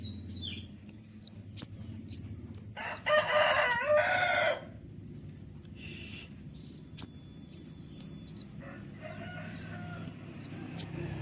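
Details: Kolibri ninja sunbird singing without pause as a lure to rouse other birds. Thin, high, downward-sweeping squeaks in quick series, broken midway by a couple of seconds of broad rustling noise.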